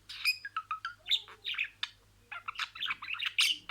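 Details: Pet budgerigar talking, imitating words in sequence: rapid warbled chatter of short chirps and buzzy notes, bursts separated by brief pauses, with one quiet gap near the middle.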